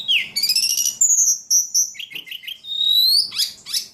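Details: Ledekan, a kept songbird described as singing very actively: rapid high trills and buzzy rattles, then long thin whistled notes, a falling run of short chips, a rising whistle and closing harsh rattles, all unbroken.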